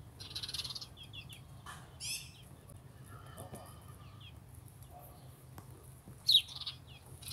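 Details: House sparrows calling: a scatter of short, high chirps and slurred cheeps, some in quick pairs, one louder sharp cheep near the end, with low rumbling background noise.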